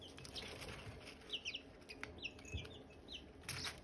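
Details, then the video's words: Silkie chicks near hatching eggs give bright, short, high peeps in small clusters, mixed with brief rustling and a fluttering burst near the end. "Silkie chicks chirping, Hatching eggs chirping sounds"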